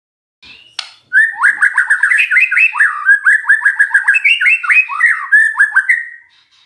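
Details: Magpie-robin lure song to prompt a silent bird to answer, a fast continuous run of varied whistled and slurred notes, many short up-and-down phrases tumbling together for about five seconds.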